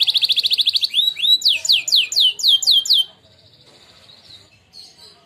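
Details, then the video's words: Prize-winning contest canary singing a training song: a fast, even trill of high notes for a second, then a series of loud, downward-swooping whistles, about eight in a row, fading to a soft, quiet warble. "canary training song"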